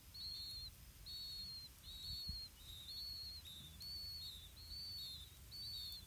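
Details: Blue-winged pitta feeding chicks in the nest, the parents carrying earthworms. Clear, thin, high whistled notes arrive in pairs of a rising then falling note, repeated roughly every second with short pauses, over soft low hum.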